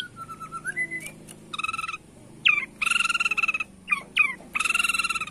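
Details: White-rumped shama from Borneo in the bowing 'sujud' style, singing competitively to provoke rivals: a rising whistle, then harsh, buzzy, pulsed bursts repeated several times with short clear notes between.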